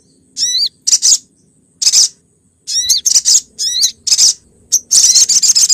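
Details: Female olive-backed sunbird calling to the male, a lure recording from Pronojiwo, Lumajang: short, very high clusters of squeaky twittering notes in irregular bursts, separated by brief silences.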